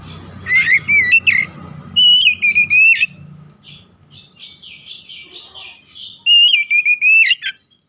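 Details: Oriental magpie-robin in strong song, used as a lure to fire up other magpie-robins: bright whistled phrases of steady and clipped notes, a softer stretch of faint twittering, then a last loud whistled phrase.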